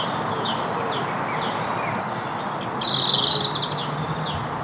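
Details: A great tit on a spring Sunday morning in Basingstoke, Hampshire, UK, where territories are forming, gives a harsh, buzzy chirr over scattered high chirps from other small birds, possibly long-tailed tits, with steady outdoor background noise.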